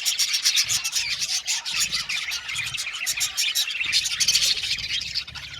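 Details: Many budgies in a colony aviary chatter loudly and without pause, a thick wash of rasping, clicking and squeaky chirps repeated rapidly throughout.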